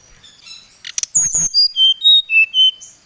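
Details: Oriental magpie-robin singing to challenge a rival: after a few clicks, a run of clear whistled notes stepping downward from high to mid pitch, each note about a quarter second, ending on a higher whistle.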